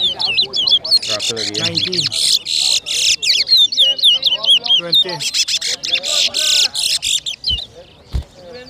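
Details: Towa towa (seed finch) whistling in a bird competition at New Amsterdam, Berbice, Guyana, 2023: dense, rapid bursts of high warbled and whistled notes, nearly continuous, with a man's voice and crowd murmur low beneath.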